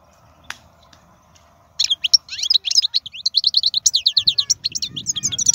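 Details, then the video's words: Wild European goldfinch with a strong song: after a near-silent start with one click, a long fast stream of bright high twittering notes and trills, with a low rumbling noise near the end. "تغريد الحسون خلوي ممتاز.هذا مقنين هو الأكثر قوة بين الطيور"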